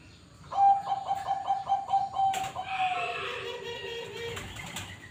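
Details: Bangkok-type zebra dove (perkutut) from a bird farm: about ten evenly spaced short coo pulses, then one held note. A softer, lower rolling coo follows, with faint clicks in the background.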